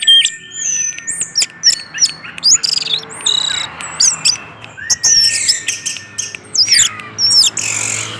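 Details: Lure song of an orange-headed thrush in full 'gacor teler' mode, meant to trigger other orange-headed thrushes; dense, varied stream of high whistles, trills and clicks with long sustained tones, nearly without pause.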